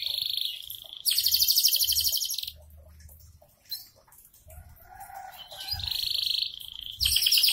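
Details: Canary singing steadily alternates long rolling trills with loud buzzy rattles, broken by a brief lull with softer warbled notes.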